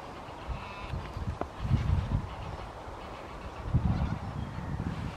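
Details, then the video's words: Tundra bean goose at Wimpole Hall, Cambridgeshire, on 17 December 2020: low, rough honks in two short bursts near the second and fourth seconds, largely buried under heavy wind rumble, with faint thin notes from small birds above. "Tundra Bean Goose, Wimpole Hall, Cambridgeshire, 17/12/20"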